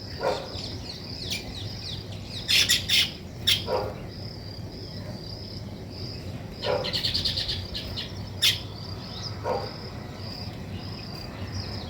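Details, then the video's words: Nest-building weaver birds make repeated buzzy, sizzling bursts and sharp chips, spaced irregularly over a steady high hiss of background chirping. "Weaver Birds Building Nest"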